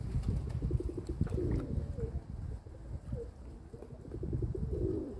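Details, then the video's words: Kept domestic pigeons heard with gentle gurgling coos rising and falling, partly masked by a heavy low rumble that runs under the whole recording. "My pigeons"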